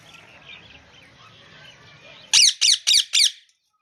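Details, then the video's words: After a murmur of distant background noise, a rose-ringed parakeet lets out four evenly spaced, harsh, high-pitched screeches in quick succession. "Parrot voice || Natural Sound Ringneck Parrots"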